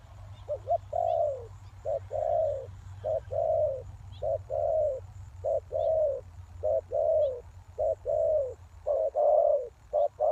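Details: Spotted dove calling as a lure for wild doves: repeated short-long coo pairs, low and hollow, about one per second, with faint thin chirps from other birds and a low rumble early on.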